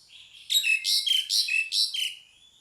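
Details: Pied myna call: a quick run of five or six harsh, squeaky whistled notes, each dropping slightly in pitch, sounded in a tight burst lasting about a second and a half, against a quiet background.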